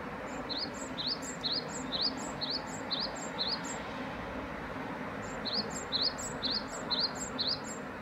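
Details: Great tit repeating a two-part phrase, a high thin note dropping into a short rising whistle, about three per second in two bursts of several seconds, over steady low rumbling background noise.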